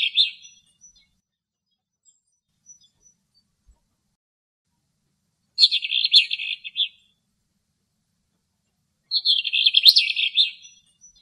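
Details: A wet, very young eastern black-eared wheatear in Greece, drying in the sun and preening after bathing; song of short, scratchy, high warbled phrases of about a second, separated by pauses of several seconds, nothing else heard.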